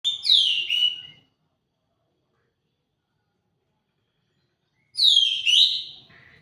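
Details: Orange-headed thrush of the Kintamani type singing two loud, rich, slurred, descending whistled phrases about four seconds apart, with silence between.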